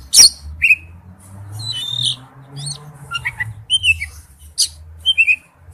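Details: Male oriental magpie-robin calling to a female, sparse short whistled slurs and thin chirps separated by pauses over a steady low hum.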